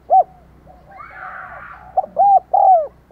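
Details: Spotted dove used as a lure for wild doves, calling thúc gù and gáy gọi. One sharp coo opens, a faint rustly chatter follows, then a run of three hollow coos, the last long and falling.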